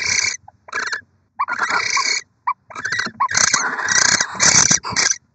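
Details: A nesting barn owl pair, Syd and Mel, in Oceanside, California, on 23 December 2023, with a sixth egg laid, gives harsh, hissing screeches in a string of rasping bursts, each up to a second long, separated by brief pauses.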